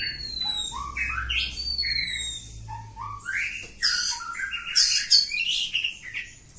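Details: Long ngacor song from a kampung oriental magpie-robin, with falling whistles, stepped rising notes and loud harsh chattering bursts in fast varied succession; faint low hum beneath.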